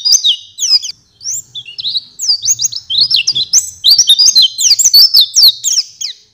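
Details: An Oriental white-eye pours out a fast, high, twittering song of thin sliding whistles and chips, nearly unbroken, with a faint low hum behind it.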